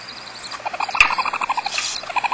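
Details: Barn owl pair with 4 or 5 chicks nesting in an old eucalyptus tree hollow, Starr Ranch, Trabuco Canyon, California: a fast run of short, even chittering notes at medium pitch, broken by brief harsh hissing bursts.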